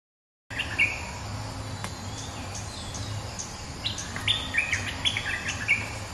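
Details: A bulbul holding its ground against a rival delivers quick chirping phrases with short whistled slurs, sparse at first and then a brisk run of bright notes in the final seconds, over low hum.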